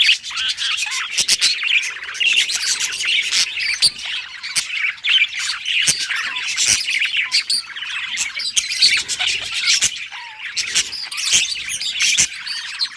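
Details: Happy budgies, also called parakeets, in continuous chattering warble: overlapping chirps, trills and sharp clicks pouring out without pause for the whole stretch.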